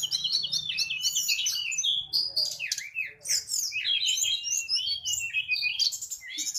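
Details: Mangrove blue flycatcher singing hard in a tutor recording: a dense, continuous stream of high warbling, twittering and slurred notes with barely a pause, over a faint low hum.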